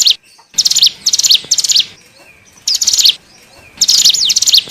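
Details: Hill prinia (ciblek gunung) calls used as a lure for wild birds: bursts of high, rapid, sharp chirps and thin descending whistles in short clusters, separated by brief pauses.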